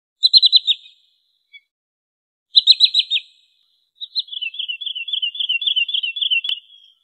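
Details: Wood sandpiper call used as a lure for trapping birds: two bursts of four or five sharp, high chipping notes, then a longer rapid rippling trill. No other sounds.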